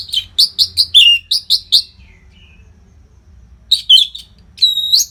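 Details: Orange-headed thrush in a loud, unbroken song used to train competition birds: a run of clear, down-slurred whistled notes repeated quickly, a silent pause, then more bright whistles.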